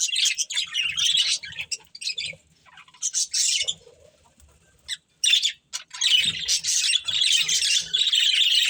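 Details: Breeding pair of budgerigars: bursts of scratchy, buzzy chatter broken by short silences, then a long run of continuous high warbling toward the end, with soft low thuds and a brief flutter.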